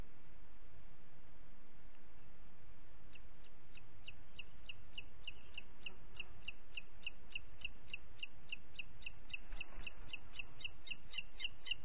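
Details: Booted eagle on a June 2021 morning in Parc Natural dels Ports: after three quiet seconds, a long string of rapid, high, piping notes runs to the end over a low rumbling background.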